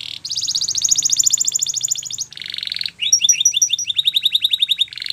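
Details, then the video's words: Canary song meant to train young birds to sing: a long even rolling trill, a short buzz, then quick chirping notes that speed into a rapid repeated series. "Your Canary Will Sing Immediately"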